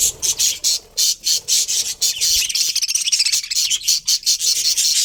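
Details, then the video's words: A budgie colony that includes a breeding pair chirps in fast, rhythmic bursts of high scratchy notes, first in regular pulses, then merging into a continuous twittering warble. "Colourful Budgies Chirping Sounds"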